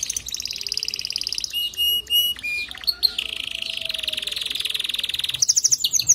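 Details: Male canary song to push a female to build her nest: high buzzy trill, a few clipped chirps, then a long lower rapid roll and a bright ending trill.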